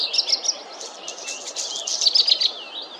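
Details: Black redstart in continuous, busy high singing: quick chippy notes running into scratchy, crackling phrases with short rapid trills, sounding close and clear.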